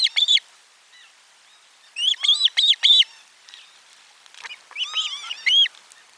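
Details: Osprey at the nest during a lunchtime fish delivery on 12 July 2022: clusters of loud, ringing, arched whistled chirps separated by short pauses, with a softer lower whistle underneath.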